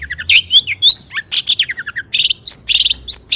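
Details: Lively long-tailed shrike song used to excite rival shrikes: a dense mix of short whistles, squeaky slurs and harsh rasps tumbling out in quick succession.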